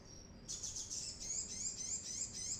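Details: Brown-throated sunbird song used as a lure for training birds: after a brief thin tone, a fast, high trilling chatter of tightly packed notes runs steadily to the end.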